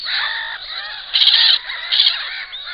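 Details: At a nest with an enlarged clutch, black-winged stilts give harsh, nasal yelping calls, with two louder, shriller bursts standing out from the steady overlapping chatter of other birds.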